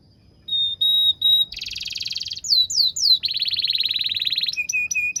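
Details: Canary, used to train young canaries: pure whistled notes in short bursts, a dense buzzy roll, swooping slurs, a long rattling trill and low repeated whistles.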